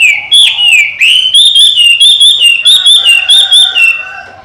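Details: Chinese hwamei, a caged bird trained by its owner, delivering a loud run of clear whistled notes, about a dozen evenly spaced rising-falling whistles in under four seconds, then fading.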